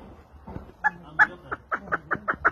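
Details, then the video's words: A partridge gives a run of about seven harsh clucking notes at a quickening pace, roughly five per second, after a brief human laugh; its voice was judged not very nice. "kekliğin sesi o kadar güzel değildi Ben beğenmedim"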